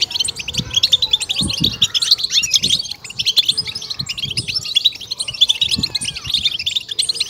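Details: European goldfinch chirping meant to stimulate and excite goldfinches: dense, fast high twittering and tinkling notes without pause, with occasional low thumps.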